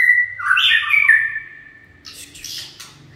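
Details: White-rumped shama (chích chòe lửa) in running song: a long fluty warbled phrase sliding and twisting, followed by softer scratchy high notes, low hum in the background.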